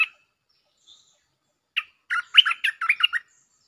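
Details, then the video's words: Bulbul singing a lure song: a lone note, a brief pause, then a quick run of bubbly, tumbling notes that rise and fall in a burst of about one and a half seconds. "เสียงนกดอกแตงEp.153 ฟังกันยาวๆเพลงจ้าวแบงค์ มีเบิ้ล เพลงเพราะน่าฟังSuara pikat merbah lekir gacor"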